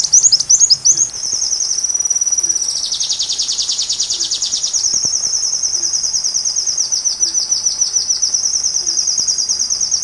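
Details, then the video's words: Sunbird singing as a training track for a white-rumped shama: brief squeaky chips lead into a long, fast, buzzy trill that thickens in the middle and then goes on as an even, very high, ticking series. "Rajanya Isian Kolibri"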